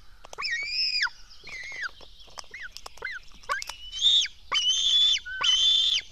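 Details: Black stork chicks at their nest at dawn, 24 June 2016, begging while being fed: scratchy whistled wails, shorter calls at first, then three longer, louder harsh screams near the end, about once per second.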